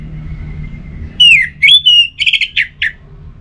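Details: Orange-headed thrush in lively full song, played to coax other thrushes into singing: after a faint steady tone, a burst of loud clear whistled notes, some sliding down and some held, ending in short repeated chirps, with a low hum behind.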